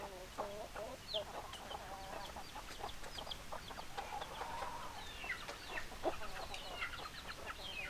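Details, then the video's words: Hens clucking in a chicken flock: scattered short clucks, a few longer drawn-out tonal calls midway, then sharp high chirps and chatter toward the end. "Chicken Sounds Noises Hens Clucking Roosters Crowing"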